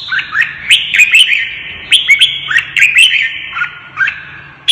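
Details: Caged red-whiskered bulbul singing hard while stirred up to fight: a fast run of bright, slurred whistled notes, some falling and some rising, repeated almost without pause.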